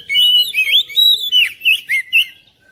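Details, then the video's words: Oriental magpie-robin song used to prompt a reluctant magpie-robin to start singing: a quick run of bright, high whistled notes with slurred upward and downward sweeps in short bursts, then a pause. "KICAUAN KACER"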